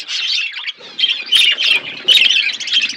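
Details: Pet budgerigars at their food give bursts of squeaky warbled chirping, pausing briefly then resuming in louder, overlapping clusters.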